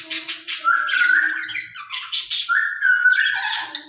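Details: A pair of caged ring-necked parakeets conversing, their words said to be Urdu or Hindi: level whistled tones alternating with hoarse, rapidly pulsed chattering phrases, loud and close throughout.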